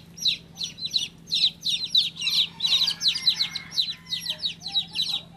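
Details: Rapid bright chirping from a baby chick, short descending peeps in uneven clusters, loud and insistent throughout.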